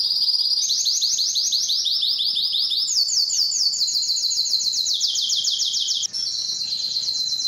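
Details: Long, powerful canary song for attracting females to mate and breed, built from chains of rapid repeated notes about every third of a second that shift pitch in distinct steps.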